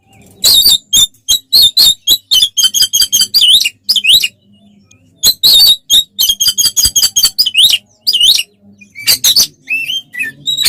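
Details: Oriental magpie-robin fighting song, played to provoke rivals: two long bouts of rapid harsh chattering notes, each ending in looping whistled slurs, with a soft low hum between phrases.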